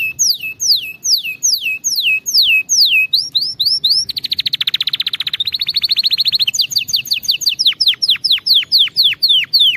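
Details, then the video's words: Canary song for training young canaries to sing: falling slurred whistles repeated in a series, then a dense buzzy roll, then a fresh run of rising and falling slurred notes. "غناء كناري دمار لتدريب طيور الكناري 🐦 على الغناء الصحيح"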